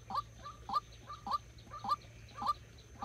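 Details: Close, loud calls from a white-breasted waterhen kept as a decoy for trapping: hoarse, nasal notes with a brief upward slide, repeated about every 0.6 seconds, and a low steady hum.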